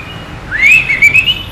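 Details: White-rumped shama (Copsychus malabaricus), song: lure song to stimulate a captive bird to sing.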